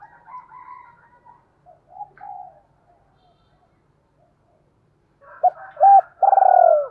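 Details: Caged decoy spotted dove cooing, used daily as a lure to stir up wild doves. Soft, low cooing notes come first, then a pause, and finally loud, sharp coo notes and a longer drawn coo at the end.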